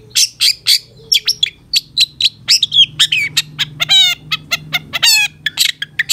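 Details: Cendet, or long-tailed shrike, in a 'satu titik nagen' tutor song for caged birds with full fill notes: rapid varied chirps and whistles, then two rattling, strongly harmonic trills, loud and busy throughout.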